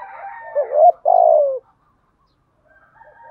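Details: Spotted dove urging coo for decoy training: a wavering hoot rising into a long, loud, falling coo, over faint background cooing, then a short silence and soft distant calls.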